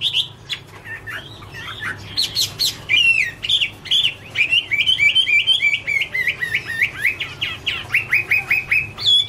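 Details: Varied whistled song of a Chinese hwamei, Garrulax canorus, the 2017 "Autumn Love Song": wavering, looping phrases that settle into quick repeated slurred notes, delivered loudly and continuously for over nine seconds.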